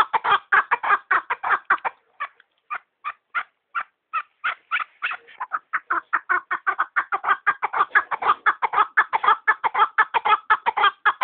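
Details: Chukar partridge (keklik) calling: loud, harsh clucking notes repeated in a fast rhythmic series about twice a second, with a brief pause, then building into a dense, continuous chattering run.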